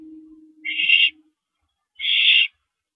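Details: During a mouse delivery on the night of April 13, 2012, at 9:17 PM, an owl gives two rasping, breathy screeches about a second apart, preceded by a low steady hum.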